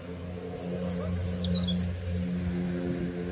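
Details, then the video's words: On the bank of the Kỳ Cùng river, a white-eye gives a short burst of its high, quick, twittering líu song over a steady low droning hum. "VÀNH KHUYÊN HÓT LÍU/ 10 PHÚT CHIM VÀNH KHUYÊN LÍU BÊN BỜ SÔNG KỲ CÙNG RẤT HAY/ KÍCH KHUYÊN LÍU CHOÈ"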